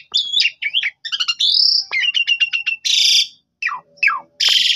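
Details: Lure song of a black-winged starling, used to make another bird answer; quick varied phrases mixing whistled slurs, stuttering trills and two loud harsh rasping bursts separated by brief gaps.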